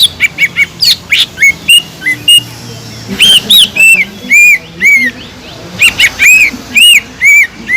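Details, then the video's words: Singing cucak ijo, a green leafbird used to provoke listless birds into excitement, delivering clear arched whistles about twice per second, some higher looping notes, faint low background hum. "PANCINGAN CUCAK IJO GACOR INI SANGAT EFEKTIF BUAT CUCAK IJO KURANG EMOSI"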